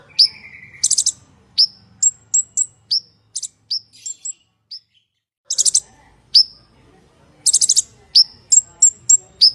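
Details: Purple-throated sunbird (konin) in active full-isian song with hard 'tembakan kasar' shots: scattered high slurred whistles and short chips, with dense buzzy trill bursts. There is a brief quiet stretch midway, and a faint hum is heard at the start.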